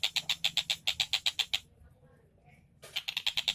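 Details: Rapid, sharp, high-pitched notes from a Tengkek Buto kingfisher in vigorous song, a quick run of repeated calls, then a pause of over a second, then the series starts again.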